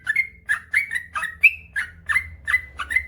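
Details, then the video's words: Trucukan, the yellow-vented bulbul, singing gacor ropel panjang: chuckling whistled phrases with a bright upward flick, repeated in quick bursts over a faint low hum. "suara burung trucukan gacor ropel panjang"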